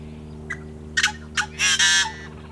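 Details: Yellow-headed blackbird singing in summer wetlands along the Great Salt Lake: a few short harsh clicking notes, then a long raspy, grating buzz of about half a second, over a steady low background hum.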